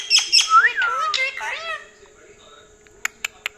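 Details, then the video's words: Talking parrot at night, wanting churi and not going to sleep; burst of speech-like voiced syllables with bending whistled tones, then quiet, with three sharp clicks near the end. "Funny parrot talking"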